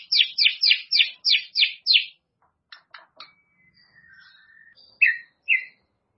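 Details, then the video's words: White-rumped shama song, meant as a fix for a shama reluctant to sing: seven fast sharp down-slurred chips in a row, then a few dry clicks, a soft warble and two more bright notes. "MURAI BATU MALAS BUNYI"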